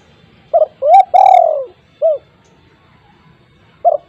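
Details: Spotted dove (tekukur) call meant to prompt silent doves at home to start calling: a short two-part hoot, a rising coo, then a long falling drawn-out coo, another short coo, repeated.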